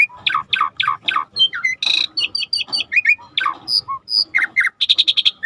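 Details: Starling song from a training recording with river ambience: repeated descending chips, a harsh rasp, mixed whistles and a rapid, even run of sharp notes at the end.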